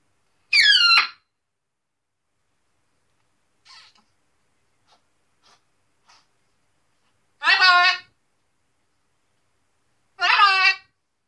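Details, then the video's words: A pet macaw, said to talk a lot, just after his shower gives three loud, harsh, voice-like bursts of about half a second each, with faint clicks and rustles in the quiet gaps. "Macaw Zeke talks Alot"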